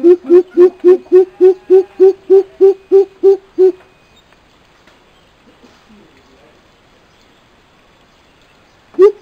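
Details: Deep booming hoots of a coucal, from a recorded male and female pair meant to lure wild coucals into replying; a quick even run of about a dozen low notes, then near silence, with hooting starting again at the end.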